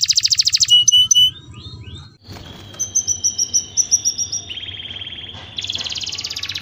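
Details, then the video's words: Canary in breeding condition, sung to stimulate mating: fast rattling trills alternating with high whistled slurred notes and sustained buzzy tones, varied phrases changing every second or so, faint low background hum. "Pancingan suara kenari birahi minta kawin ampuh"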